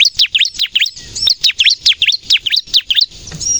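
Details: High, rapid chirps from a bar-winged prinia, used to draw in wild birds and stimulate captive birds to sing; each note swoops down and up, about three per second, ending with a thin whistle.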